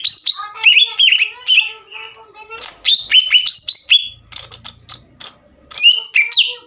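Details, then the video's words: Green leafbird in energetic song meant to provoke a rival: tumbling chattering phrases with rich harmonics, quick sharp chips, and varied whistles, a softer stretch in the middle, loud again at the end. "MEMANCING CUCAK IJO LAWAN AGAR EMOSI DAN GACOR"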